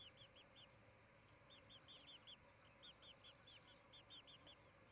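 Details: Chirping from the osprey nest at Charlo, Montana, 23 July 2018, late morning: soft, rapid strings of short curved whistles in clusters, heard at a distance through constant hiss.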